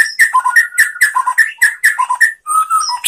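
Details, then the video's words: White-rumped shama training song for other shamas: a rhythmic phrase of paired whistled notes repeated about every half second, then a steady whistle. "SUARA MURAI BATU bikin GACOR BONGKAR ISIAN ¦ MASTERAN MURAI ¦ SHAMA BIRD"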